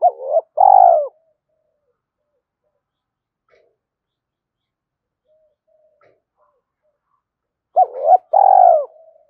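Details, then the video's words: Spotted dove cooing to spur a wild dove into cooing: a low, hollow two-part coo, a short double note then a longer drawn-out one, given at the start and again about eight seconds later, with near silence between. "cu gay kich boi nhanh noi gù mới nhất"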